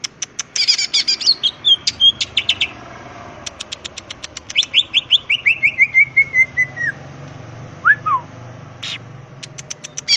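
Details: Greater green leafbird singing vigorously in ngetrok style, a rapid burst delivery: dense clusters of high chips and clicks, a falling run of whistled notes, and scattered rapid ticks, over a soft steady background hum.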